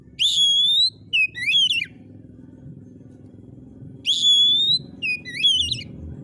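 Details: Oriental magpie-robin (kacer) in energetic gacor song. A sustained pure whistle climbs slightly, then bouncy twisting notes follow, and the sequence comes twice in six seconds against a faint low hum.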